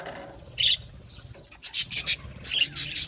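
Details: Several budgerigars chirping: short bright bursts of high chatter at about half a second, then a denser cluster of quick, scratchy chirps from 1.6 seconds onward, with quiet low rumble beneath.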